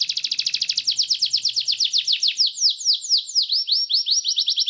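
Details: Belgian Bossu canary in rolling song: a long rapid trill of high repeated notes, each a falling whistled sweep, slowing slightly into broader descending slurs, with a faint low hum early on.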